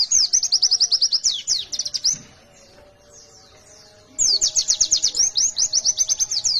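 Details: A white-eye, in a call used to lure other white-eyes, pours out fast, high, rattling trills of sharp chirps in two bursts, with a two-second gap between them.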